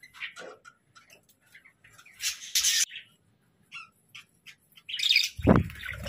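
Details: Captive budgerigars give sparse scattered chirps and short squawks, a sharper burst midway, then a low thump and rustle near the end.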